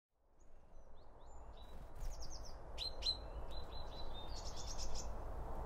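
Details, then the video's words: Wild birds eating around a feeder, recorded binaurally by two microphones set behind the feed: a burst of sharp high chirps and short downslurred notes that thickens after the first second, over a steady low rumble. "BIRD FEEDING SOUNDS"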